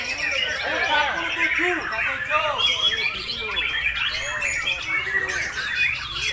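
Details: Breeding white-rumped shama delivering nonstop 'nembak' song, a busy stream of looping whistled notes and chattering trills, repeated arching phrases packed closely together, with men's voices and other birds audible.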